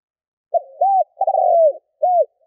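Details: A spotted dove coo used to attract wild birds, clear and close: a short opening note, an arched hoot, a longer rough descending coo and a closing arched hoot.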